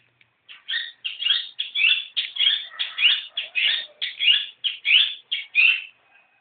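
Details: Scratchy chattering song of a young, newly caught long-tailed shrike: around fourteen harsh, clipped notes repeated steadily, roughly three per second, each a quick buzzy chirp, against a quiet background.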